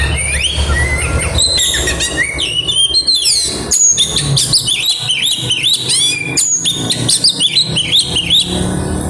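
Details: Oriental magpie-robin's aggressive song with mimicry, a long stream of rapid chirps, high whistles and rising slurs in dense bursts, with brief pauses and a low rumble beneath.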